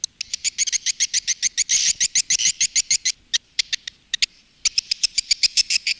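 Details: Swiftlet calling and roosting sound used by swiftlet farmers in Indonesia, styled Women Flower: fast, regular bursts of high, buzzy chirps, about three to four a second, with a brief lull near four seconds.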